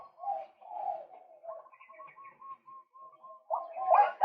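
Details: Male white-breasted waterhen calling softly for a trapping lure: low croaks, then a steady series of quiet short whistled notes, ending in a louder harsh outburst.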